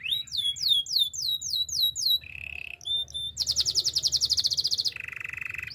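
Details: Song of a Spanish timbrado canary for training birds: quick repeated high swooping notes, then a low steady trill, a brief pause, a loud fast rattling roll and a lower bubbling trill.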